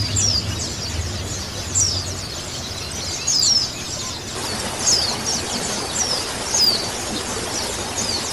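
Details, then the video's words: Colony of male and female white-eyes, played as therapy to get birds singing: thin, high descending whistled notes about every one to two seconds over steady hiss, with a low rumble in the first two seconds. "koloni pleci betina dan pleci jantan dan suara terapi pleci"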